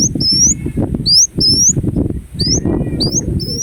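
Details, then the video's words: Ruby-cheeked sunbird, the kolibri wulung, giving thin, very high rising slurred notes in twos and threes against a continuous low rumbling background. "Kolibri Wulung Gacor Dorr Bocor Corr"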